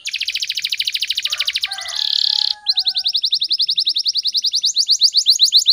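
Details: Speed rapat canary song for prompting and tutoring caged canaries: a dense buzzy trill, a brief harsh rasp, then a fast, regular rattle of sharp high notes to the end.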